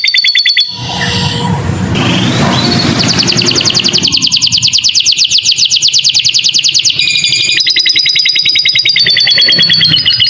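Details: Canary tutor song with lovebird-style fill for young birds: a burst of high chirps, then a rough broadband noise for a few seconds, followed by long rapid trills of bright repeated notes that change phrase partway through.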